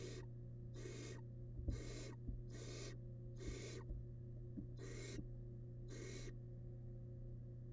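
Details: Nest-box barn owl nestling, wild, devouring rabbit remains; seven rasping hisses repeated about once a second, with occasional soft knocks and an unbroken low hum.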